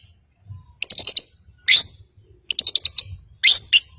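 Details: Long-tailed shrike for prompting silent birds to sing, alternating quick high trilled phrases with loud harsh rasps, the pattern repeated twice.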